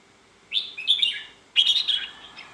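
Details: Red-whiskered bulbul giving two quick, liquid whistled phrases about a second apart, each a tumbling burst of bright notes.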